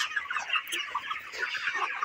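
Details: Farm-raised broiler chickens, 29 days old, filling the air with continuous chirping and clucking from many birds at once, with occasional louder individual calls.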